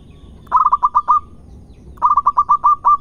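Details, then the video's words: Local zebra dove from Indonesia singing two phrases, each a rhythmic chain of about six or seven bubbling coos ending in a drawn-out tone, separated by a short pause over light background noise. "Kumpulan suara terbaik Perkutut Lokal Gacor"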